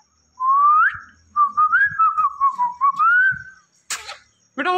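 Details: Indian ringneck parakeet whistling a long wavering melody that rises and dips gently, followed by a burst of noise and a short harmonic squawk.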